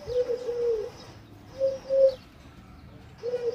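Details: Pigeon coo phrases, low and rounded, come in three bursts with quiet gaps between them.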